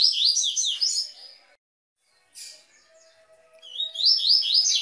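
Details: Double-collared seedeater giving the Tui Tui song, meant for warming up and training caged birds: a fast high phrase of slurred notes fades, a brief chip follows, then another rising run of quick sweeping notes begins.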